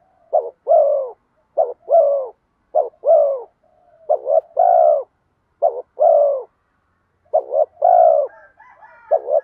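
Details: Spotted dove lure call in the kèm mắt me style, bronze-voiced and urging, meant to draw wild doves back quickly. Six steady phrases of two quick notes and a drawn-out, soft, descending coo, about every one and a half seconds.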